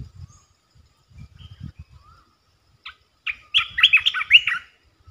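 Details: A short rattle of sharp, tumbling chirps from a resident territory-holder red-eyed bulbul, preceded by a few soft low knocks.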